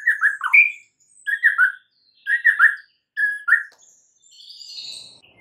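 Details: Morning song of a white-rumped shama: short clusters of rich whistled notes in repeated phrases about a second apart, ending with a faint high buzzy warble.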